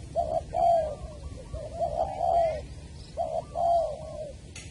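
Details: Spotted dove (cu gáy) at Long Đức, Trà Vinh, on 23 January 2020, heard while a decoy bird lures a wild bird: paired coos, a clipped note then an extended descending coo, repeated roughly every second and a half, with a faint click at the end.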